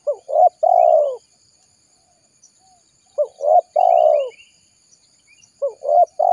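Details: Spotted dove lure call for drawing in wild doves: three matching phrases, each two short coos and then a long falling coo, repeated roughly every two and a half seconds, with faint chirps from another bird.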